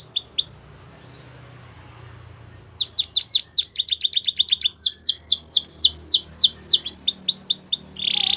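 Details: Gloster canary training song: two quick down-slurred notes, a pause, then fast repeated sharp chips breaking into rapid downward-swept whistled notes, with a buzzy note at the end.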